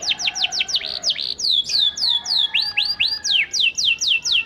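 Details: Singing Panda canary, used as a lure so other canaries start singing back: a steady series of clear, downward-sweeping whistled notes, about two to three per second, bright and loud throughout.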